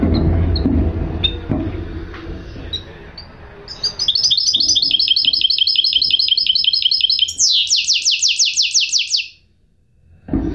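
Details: A goldfinch hybrid gives a long, rapid trill of sharp high notes, switching to a series of steeply falling buzzy strokes, after scattered chirps over background rumble and before a short silence.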